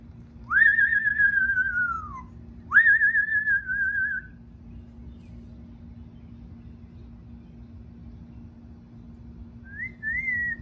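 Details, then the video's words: Pet Amazon parrot, kept at home and eager to see its owner: two long clear whistles, each rising then slowly falling, followed after a pause by a short rising whistle, over a steady low hum. "Loro desesperado por ver a su dueño"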